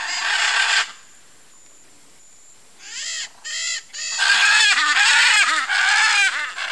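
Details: A nesting pair of blue-and-yellow macaws (Ara ararauna) at their nest among trees gives loud, harsh, grating screeches: a long blast, a pause, then a run of rasping squawks.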